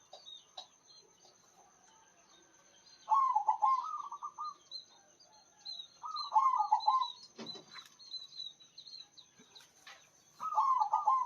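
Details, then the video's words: Local zebra dove from Indonesia giving a strong, full-voiced song: three rolling, stuttered cooing trills of about a second each, spaced several seconds apart, with faint high chirps from other birds and a soft steady hiss behind. "PERKUTUT LOKAL GACOR SUARA BESAR"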